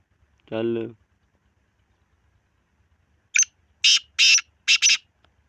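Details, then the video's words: Harsh rasping call of a black francolin: one short scratchy note, then three louder grating notes in quick succession, preceded by a lone humming tonal sound and then a pause. "کالا تیتر کی مکس آوازیں"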